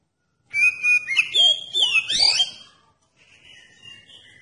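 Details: Oriental magpie-robin song used to coax other magpie-robins into singing: about two seconds of loud varied whistles with quick downward and upward sweeps, fading into a soft thin whistle.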